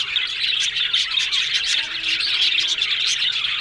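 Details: Budgerigars chattering as a colony in an aviary: a loud, tightly packed stream of high chirps and warbles with brief swells in volume.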